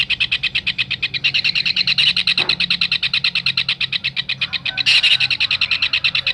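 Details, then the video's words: Kingfisher tutor sound for songbirds: steady run of harsh, shrill notes around three per second, interrupted by a brief click and one louder burst near the end. "Tengkek raja udang masteran untuk burung kicau"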